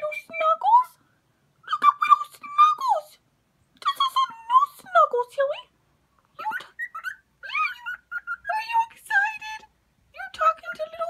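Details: Cockatiel serenading a new cockatiel it is being slowly introduced to, singing bursts of warbled, sliding whistles with chattering notes in phrases about a second long separated by brief pauses.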